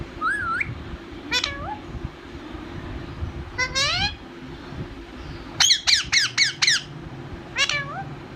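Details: Pet talking parrot kept at home, giving a series of harmonic squawks and whistled, rising and falling notes, ending in a quick run of five sharp repeated squeaks, over steady low rumbling background noise.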